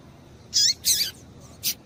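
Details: Female double-collared seedeater calling to excite males and set them singing: three short, harsh, scratchy chips in quick succession, the middle one longer, over a faint low background hiss.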